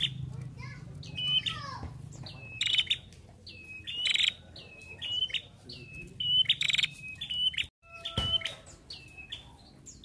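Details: Female ashy prinia in full song, a rapid string of high whistled notes with a falling tail, broken by harsh buzzy rasps, with a brief cut and a low steady whistle near the end.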